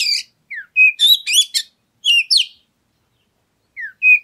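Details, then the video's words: Oriental magpie-robin song used to provoke other birds into singing: sharp downslurred whistles and quick clusters of high, varied chirps, then silence and a closing whistle, in a quiet setting. "Pancingan Suara Kacer Segala Medan Dan Cuaca"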